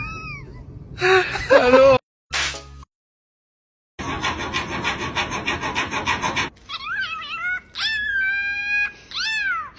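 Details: Talking parrot producing speech-like voiced sounds, then a long buzzy, rapidly pulsed stretch, then a series of sharp rising and falling whistled squawks.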